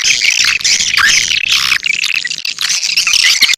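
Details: Swiftlet lure call: a dense, continuous chorus of shrill, squeaky chirps and twittering trills packed together without pause, thin and high with no low sound beneath.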